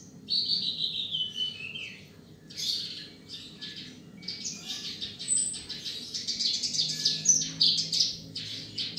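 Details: Australasian bushlark, a rice-field bird, singing a varied high-pitched song: a sweeping whistled opening, then bursts of scratchy, chattering notes in quick, irregular succession, with a faint low hum beneath.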